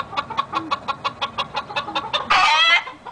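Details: Captive-bred red junglefowl stag, YellowLyon strain, India: about a dozen rapid, evenly spaced sharp pulses build up before a loud, short, harsh harmonic crow lasting about half a second, with quiet background.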